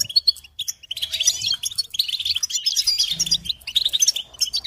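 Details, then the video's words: Busy goldfinch singing, with overlapping high twitters and jingling trills that swell to a dense middle section, plus a short low hum partway through. "Encouragement to motivate and support goldfinches in songs"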